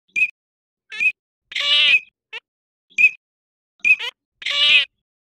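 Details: Short high whistled notes from Eurasian teal in winter, spaced about a second apart, broken by two longer, harsh, nasal drawn-out calls and a few brief squeaky downslurs.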